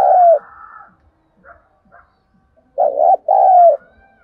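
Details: Spotted dove calling as a lure to excite wild doves; a low coo opens, then soft faint notes, then a two-part coo phrase of hollow, slightly descending notes near the end.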